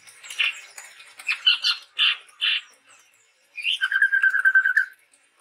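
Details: Chestnut-rumped babbler, a male Sumatran forest bird: several rough chattering notes, then a long trilled whistle held level for about a second.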